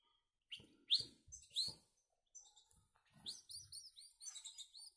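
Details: Caged young goldfinch-canary mules, small chicks already eating on their own: a few louder sharp chirps, then a quick series of short, high, down-curving notes repeated about every third of a second, with light knocking in the cage.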